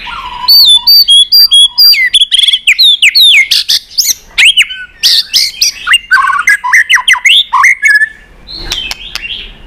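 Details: White-rumped shama in competition singing with tail-flicking, delivering a dense burst of many long forest-style phrases: bright rapid whistles, trills and sharp notes in quick succession, ending in a softer phrase.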